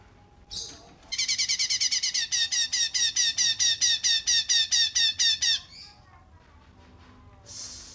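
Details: Cungkok bird song in the 'rapat jeda' style, used as a training recording for songbirds. After a brief opening note comes a long, fast burst of harsh, ringing, evenly repeated high notes for about four seconds. Another short burst follows near the end.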